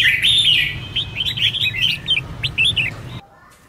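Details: Red-whiskered bulbul in training, competitive fighting-style singing meant to fire up a bird: bright chattering, warbled phrases of quick rising and falling notes for about three seconds, then sudden quiet, over a low steady hum.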